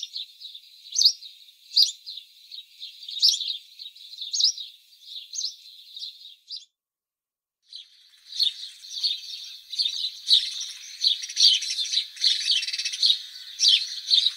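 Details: House sparrow chirping steadily, short bright notes about once a second over soft chatter; after a short break a denser, overlapping twitter and chirping fills the background.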